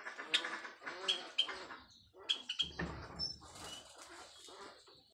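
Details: White Java sparrows, a breeding pair busy building their nest before egg laying, give a mating call: short bright chirps and clicks with some rustling and wing flutters, uneven bursts fading toward the end.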